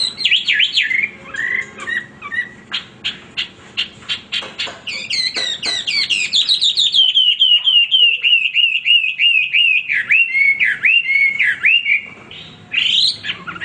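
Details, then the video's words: Non-stop Hwamei song: looping whistles, then a burst of sharp clicking notes, followed by a long run of fluid, warbling whistles that slide up and down. "wambi gacor berkicau tanpa henti"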